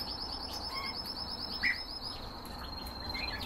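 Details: Canary kept for breeding, singing a rapid rolling trill of evenly repeated high notes that flows into a long, sustained thin whistle. Brief chirps appear mid-phrase over constant low background hum.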